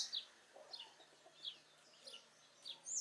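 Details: A wild saffron finch (Sicalis flaveola) sings freely in its natural habitat, faintly: short, bright, high chirping notes about every half second, some sliding sharply up; no other clear sounds.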